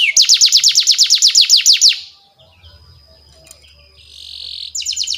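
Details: Canary lure song for teaching young canaries: a fast trill of repeated high downslurred notes for two seconds, a quieter stretch with a thin steady tone and low rumble, then the trill resumes.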